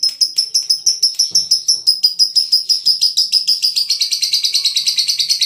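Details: Lovebird of the Veronica type from Brebes singing a long chattering song, a rapid run of buzzy high chirps repeated about three times a second at steady pitch, easing slightly lower near the end.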